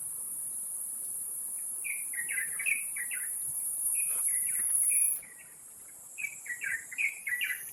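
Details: Wild Taiwan Blue Magpies tending nestlings at Taipei Zoo, 7 May 2022, 11:43. Three bursts of quick, scratchy chattering calls, about three notes per second, are separated by short pauses. A high insect hum is constant.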